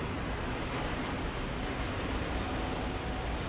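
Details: Dense, even, broadband roar like passing traffic or a train, with no animal voice.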